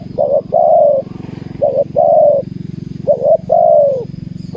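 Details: Spotted dove singing during decoy trapping on the ground. Three soft cooing phrases, each a brief doubled note then a sustained, slightly falling croo, against constant low droning background noise.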